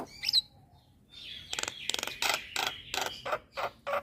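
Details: Starling lure call meant to make jalak kebo, jalak putih and jalak Nias respond: a thin high whistle, then a run of harsh, buzzy broadband pulses repeated about three times a second.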